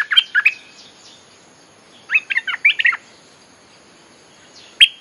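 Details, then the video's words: Bulbul song played to call wild birds: a quick cheerful warble at the start, then a longer chattering run of five or six liquid notes, and a single sharp note at the end. "เสียงนกดอกแตงEp.183.ฟังกันยาวๆ เพลงหัดลูกเสอ ใช้เรียกนกป่า Suara pikat merbah lekir gacor"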